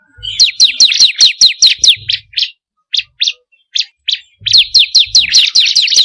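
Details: Bar-winged prinia, called ciblek kristal, sung as a lure for pet birds: rapid high chirps in a run, then several spaced single notes, then the fast chirping resumes.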